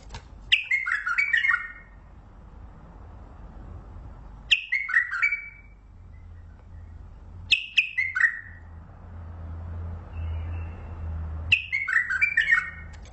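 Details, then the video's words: A Mandali bulbul sings four short, bubbling phrases of quick, falling whistled notes, one every three to four seconds, over a low background hum. "بلبل مندلاوي لسنات تغريد"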